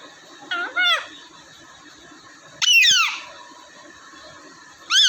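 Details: Talking pet parrots kept indoors in Vehari, Pakistan: a pair of short bending notes, then a loud harsh screech sliding downward, silence, and another strong screech at the very end.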